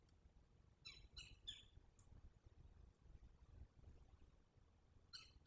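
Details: Verreaux's eagle nest at Selati on 9/7/23 at night, both adults present with the eaglet; three rapid thin squeaky notes, then a lone faint one, and one more short chirp near the end, over low rumbling background.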